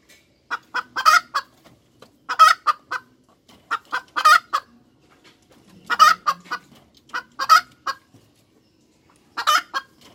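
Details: Hen cackle: bursts of sharp, broken squawking notes arrive in groups roughly every one and a half seconds against an otherwise quiet background.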